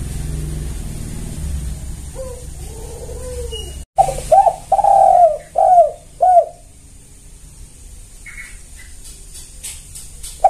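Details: A vigorously calling spotted dove gives a lure call meant to set other doves calling. Soft arched murmurs, then a loud run of five hollow descending coos, then quieter high chirps from other birds.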